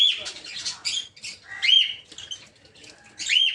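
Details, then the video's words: Aviary peach-faced lovebirds of assorted colour forms. Scratchy chatter is mixed with short, rising-then-falling squeaky whistles, repeated a few times, with low background noise. "Peach-Faced Lovebird's Sounds"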